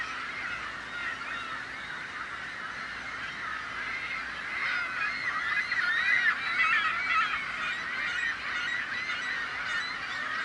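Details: Seagull chorus made to frighten off would-be predators, with hungry young adding begging calls; dense, harsh overlapping cries that grow louder around the middle, including some distinct rising squeals.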